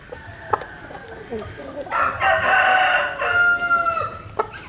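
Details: At early dawn, with chickens out in the morning sun, a rooster gives one drawn-out crow lasting about two seconds after faint clucks and a few sharp clicks; its strained, rasping tail drops off sharply.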